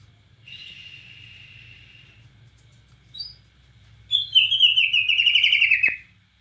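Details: Bornean white-rumped shama singing cililin phrases: a soft, drawn-out whistle, a brief high note, then a loud, fast, rolling warble of tightly packed notes lasting nearly two seconds.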